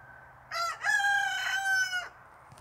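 A Barnevelder rooster gives one crow lasting about a second and a half: a short opening note, then a long, level, slightly hoarse cry that drops off at the end.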